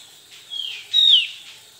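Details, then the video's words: Male Javan grey-throated white-eye in lively singing form, answering another bird's song, gives two thin, high whistled notes, the second louder and sliding downward, over a faint background hiss. "Opior Jawa lainnya langsung tergoda untuk bunyi dengan suara gacor"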